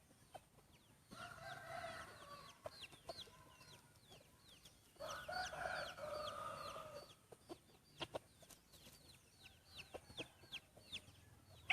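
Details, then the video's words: Roosters at a first contest of main breeding cocks crow twice, each harsh call stretching about two seconds, more distant-sounding, amid a steady stream of thin, falling chirps from small birds and occasional clicks. "mloog suab qaib qua ua si ประชันเสียงขันพ่อพันธุ์หลักครั้งแรกเสียงขันดีมากๆ"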